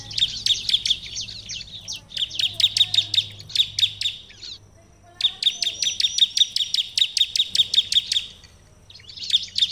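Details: Bar-winged prinia song for provoking other prinias to respond: repeated bouts of rapid, high, ringing chirps, each run several seconds long, separated by a near-silent gap, with a faint low hum.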